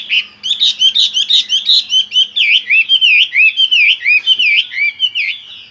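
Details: Continuous ngerol song of a Chinese hwamei: a dense stream of loud whistled notes, many V-shaped and dipping, repeated without a pause across the whole stretch, with a faint low hum at first.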